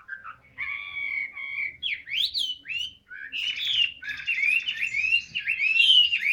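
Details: Caged Chinese hwamei, described as 'ngũ trường cao cầu', singing: a few steady whistled notes, then a rapid run of loud, varied, slurred rising and falling whistles with short gaps.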